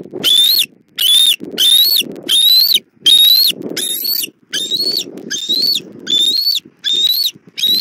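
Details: Mother bald eagle bringing food to the chick at a Southwest Florida nest, 1 April 2024, 17:30, nest cam: a steady series of about eleven piercing, slightly rising whistled squeals, roughly one every 0.7 seconds, with faint rustling beneath.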